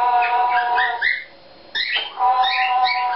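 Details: Pet Eclectus parrot singing one of its own made-up songs: a run of harmonic, nasal tonal notes with some rising slurs, a brief pause, then more warbled notes.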